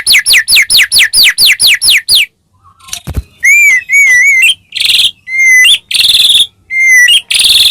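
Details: Caged white-rumped shama, gacor song for provoking a rival: a fast row of downslurred whistles, a pause with a click, then wavering whistled phrases mixed with harsh buzzy notes.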